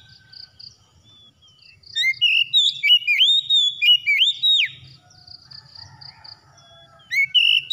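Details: Oriental magpie-robin singing for a therapy recording to coax a silent bird into song: a burst of loud, sweet whistles with rising and dropping slurs, a pause with soft high repeated pips, then song resumes.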